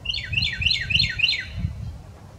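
A Carolina wren sings a loud, rolling run of five quick, ringing phrases, about three per second, then falls silent over a low rumble of background noise.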